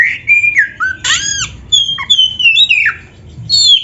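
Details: Kacer song used as masteran for training birds: a quick mix of clear whistles, a loud upswept note, then long sweet downward-sliding whistles strung together, with soft low background hum.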